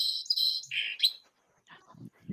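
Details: Song sparrow, presented as its song (typically sung mostly by males to attract mates and defend territory): just over a second of high, buzzy notes that step down in pitch, then one sharp high note. Faint room sounds follow.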